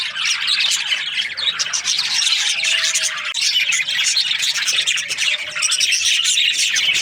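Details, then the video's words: A dense, chattering chorus of high chirps comes from budgerigar breeding pairs in an aviary. A few faint, thin, drawn-out tones run beneath it. "Happy budgie chirping sounds"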